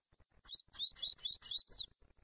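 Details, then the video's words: Young rusty-collared seedeater of the tui tui type singing a short phrase of six quick, bright chirped notes, the last one slurred and slightly higher, against a quiet background with a steady thin whine. "OLHA esse FILHOTE de COLEIRO tui tui ESSE vai ficar FERA"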